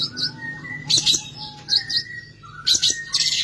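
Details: Long-tailed shrike (cendet) in full song rich in imitated phrases. Clear, thin whistles are mixed with harsh, scratchy bursts and doubled chirps, against a low background hum.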